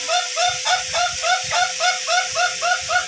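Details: Ayam Ketawa of the long-crowing duration type during training: rapid, regular laughing syllables, about three and a half per second, each a short rising-falling note, backed by constant hiss.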